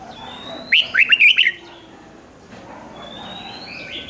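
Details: Red-whiskered bulbul singing a single quick phrase of five or six slurred, bubbly whistled notes, followed by soft thin chirps from other birds. The recording is played to caged birds to excite them.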